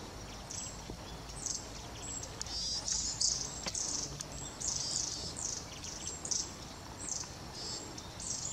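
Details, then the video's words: Several long-tailed tits (Aegithalos caudatus), recorded 10 November 2018, give thin, very high, slightly buzzy calls in quick bursts, several each second, over a low background rumble. "エナガ enaga"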